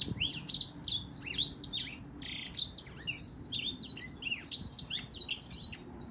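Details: Black-throated canary singing a fast, continuous warble of high twittering notes, rapid slurs and short trills run together without a break, loud and clear over a quiet low background hum.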